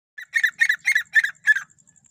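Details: Female grey partridge (Perdix perdix) calling: five harsh, grating squawks in quick succession, about three a second, then falls quiet.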